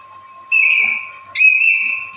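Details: Black-capped lory (Lorius lory) gives two loud, shrill, drawn-out whistles, each under a second, over a faint steady hum; a daily caller used to lure and trigger other lories to call.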